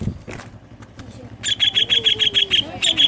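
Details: Lure song of a greater green leafbird carrying kingfisher imitations, meant to get other leafbirds singing: quiet faint noises at first, then a quick run of piercing high repeated notes with a low sliding tone underneath.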